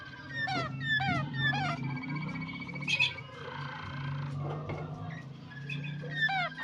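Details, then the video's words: Yellow Waterslager canary giving repeated descending whistled notes and short trills, with quiet pauses between phrases and a steady low hum. "yellow watersalger singing nicely غناء کنری الأصفر بشكل جيد"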